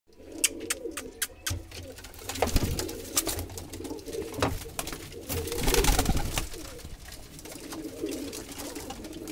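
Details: Madrasi pigeon chick kept indoors in a small room: low, soft, rolling cooing notes repeated in murmuring runs, with frequent sharp clicks and rustling taps throughout.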